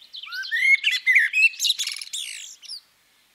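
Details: Common blackbird, a female. A rising fluted whistle leads into a dense stretch of high squeaky twitters and rasping notes, ending abruptly.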